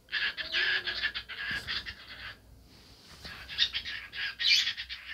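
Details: A dancing cockatiel talking loudly, long stretches of rough, buzzy, speech-like chatter broken by a short pause midway, with faint thumps.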